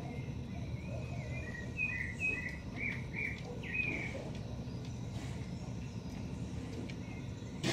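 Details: A young shiny cowbird in a garden in Brazil gives a quick run of short, slurred chirps for about two seconds, then falls quieter, over a constant low rumble of background noise.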